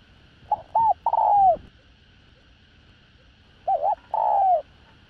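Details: Spotted dove, a decoy bird with the 'đồng rặc' voice, giving a full calling, urging and cooing sequence to lure other doves: two phrases, each of short hooked notes then a long, loud, smooth coo that falls in pitch, over a faint steady hum.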